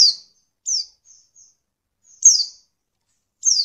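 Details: Female white-eye calling to provoke lazy males into singing: four thin, high, sharply descending chirps at irregular spacing, with a few fainter brief notes in between, in otherwise quiet surroundings.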